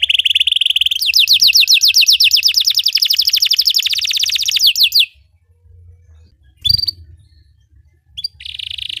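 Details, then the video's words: Belgian canary singing, used to train other canaries to sing: a steady buzzy trill gives way to a long run of rapid descending notes, then a pause, a short chirp and a fresh trill starting. "Belgian canary singing makes your canary sing"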